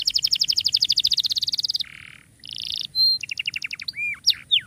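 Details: Canary tutor song for canaries that have gone quiet: a rapid, even trill of repeated notes, a low rough buzz, a steady whistled tone, a short series of chips, and arched and falling slurs.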